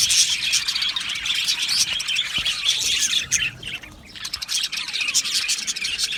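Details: Aviary colony of Australian budgies singing and chirping together, a busy overlapping stream of high twittering notes and short squawks that briefly thins near the fourth second before the chatter builds again.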